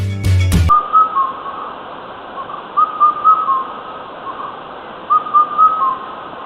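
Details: Indian cuckoo in Sri Lanka giving mellow whistled four-note phrases, slightly falling, repeated about every two seconds, over steady background hiss after a brief knock at the start.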